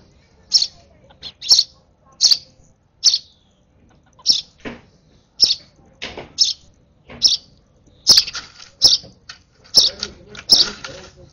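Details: Sparrow nestling being hand-fed at its last feed, excitedly giving sharp, high chirps in rapid bursts, roughly one every second, some notes doubled, with faint handling rustles between calls.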